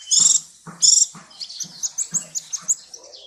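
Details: Sunbird ('kolibri ninja') on a clear training track: two harsh buzzy bursts, then a string of soft high twittering notes, over a steady pattern of low dull taps.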